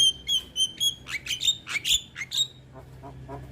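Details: Young Javan myna song for other birds to copy: a quick row of clear level whistles, then rapid rising and falling chirps, ending in softer notes.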